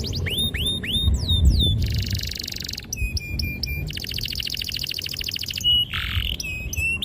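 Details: Canary singing to coax young canaries into song: repeated hooked whistled notes, then long buzzy rolling trills separated by short pauses, over a steady low background hum.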